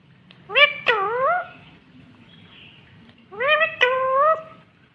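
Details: Ringneck green parrot talking, natural original recording: two drawn-out harmonic utterances, each a sharp onset then a wavering, rising-falling tone about half a second long, separated by a quiet pause; faint low background hum.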